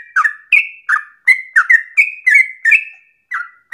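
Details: Yellow-vented bulbul song used as a lure to make other bulbuls sing with long breath; quick chortling phrases of liquid, slurred whistles, a brief pause near the end before the next note.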